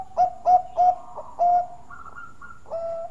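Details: Bangkok zebra dove delivering its sweet lure song, three quick loud coos, a longer sustained coo, then softer higher notes and a closing low coo.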